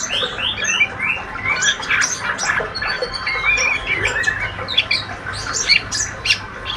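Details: A healthy juvenile male white-rumped shama chatters in the ngriwik style, mixing short arched whistles, sharp squeaks and rapid twittering notes in a continuous, uneven stream over a soft background hum.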